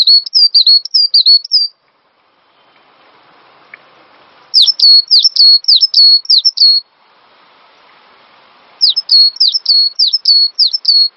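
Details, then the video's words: Master recording of a cinereous tit used as a lure to get caged songbirds singing: three bursts of rapid, ringing two-note phrases, a high downward flick then a level whistle, each burst about two seconds with quiet gaps between. "Master Burung Gelatik Batu Full Ngisi"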